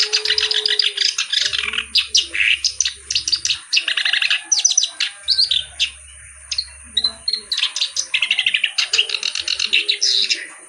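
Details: Reed warbler in full, lively song with a good melodic style. A long run of dense, scratchy chattering notes and grating trills pours out almost without a break. A faint low hum and soft rumbling sound in the background.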